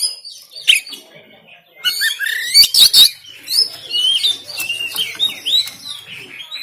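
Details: Caged-bird stimulation song of an oriental magpie-robin, rough 'tembakan' style, recorded in Banten by Android phone. After a quiet start, dense high chattering sets in with harsh double bursts near the middle, then continues as varied twittering and short whistled slurs.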